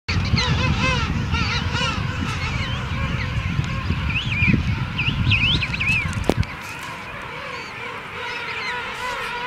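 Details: A crowded chorus of King penguins at the St Andrews Bay rookery, South Georgia, gives wavering, trumpeting calls over one another against a heavy low roar of wind, with a sharp knock near the end.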